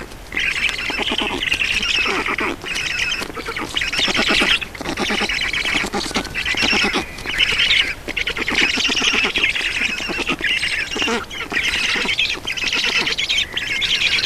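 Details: At an Estonian black stork nest during feeding, 4 June 2019 at 18:07: long stretch of high, harsh squealing and rattling bursts, repeated with brief gaps throughout.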